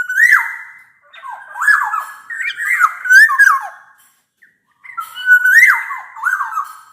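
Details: Loud, clear black-naped oriole song used as a lure for orioles that sing little; fluty bamboo-flute-like phrases with downward-slurred and upward-swooping notes, several in a row, a short silence, then two more.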